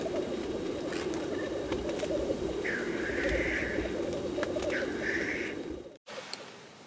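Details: Black grouse at a lek display: a continuous low bubbling, cooing rookoo runs throughout, broken by two drawn-out hissing sneezes at about 2.7 and 4.3 seconds, then a sudden drop near the end.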